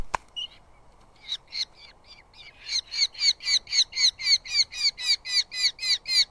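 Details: Eurasian hobby chicks squabbling over moth food brought by the male at a live nest camera in southern UK; a rapid, regular series of harsh, high squealing notes, about four per second, building louder after a few scattered notes.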